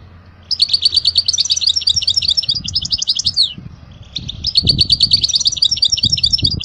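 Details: For young goldfinches to learn from, a European goldfinch sings two tumbling phrases of fast, sweet twitters and tinkling chirps, split by a brief pause, over low muffled background sounds.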